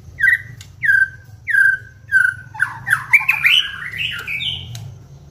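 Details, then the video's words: White-rumped shama song used as a lure to provoke singing: four clear descending whistled notes, evenly spaced about every half second, then a rapid jumble of rising and falling warbled phrases, with a low hum underneath. "pancingan MURAI BATU agar GACOR dan LANGSUNG EMOSI"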